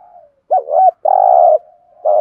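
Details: Spotted dove coo used as a lure call: a low soft lead-in, a wavering double note, then a long even hollow hoot and a final short coo.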